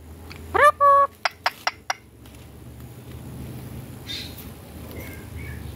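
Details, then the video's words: A ring-necked parakeet gives a rising nasal squawk and a short held note, then four quick clipped notes, over a low steady room hum; Rose-ringed parakeet. "Ringneck parrot"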